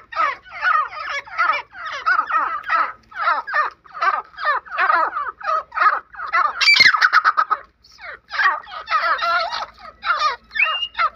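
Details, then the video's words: Grey francolin giving a long series of harsh, grating syllables in steady pulses about three a second, briefly interrupted by a sharp noisy burst, then resuming in uneven groups. "Jangli Teetar ki Best Voice"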